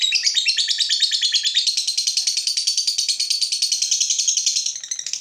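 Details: Provoked fighter lovebird in a long continuous chattering trill, dense rapid buzzy notes repeated steadily for over five seconds, slightly rising then tailing off at the close.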